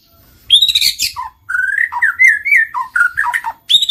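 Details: Murai batu lure song played so a silent shama starts singing and mating: a high buzzy opening, then a flowing run of mid-pitched whistled notes dipping and rising, ending in a bright high whistle.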